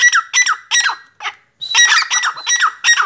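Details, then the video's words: Black francolin (Sindhi teetar) giving loud rasping, scratchy notes in quick bursts, three at a time, then a short gap and another harsh series. A faint thin whistle sits above the notes. "Sindhi Teetar Voice!!!Kala Teetar Voice"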